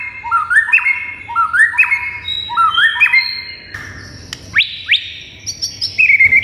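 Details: White-rumped shama in full vigorous song, meant to provoke other shamas into answering and getting agitated: three quick rising, stepped whistled phrases repeated about once a second, then higher drawn-out whistles and sharp upslurred notes.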